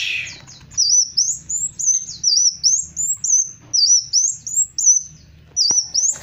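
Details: Black sunbird (kolibri wulung) singing vigorously in gacor style: a continuous run of very high, thin, slurred notes that sweep down and up, about two phrases each second, over a faint low hum.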